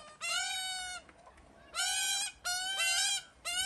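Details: Australian magpie in a family group of a male and two females raising chicks: long, nasal, harmonically rich drawn-out notes, each nearly a second, given four times with short gaps, held at a steady pitch.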